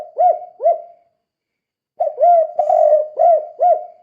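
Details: Loud, close spotted dove calling in 'kuk 2' style as a lure to set other doves calling; two rounded coos, a pause of about a second, then a phrase of five coos with one long wavering note.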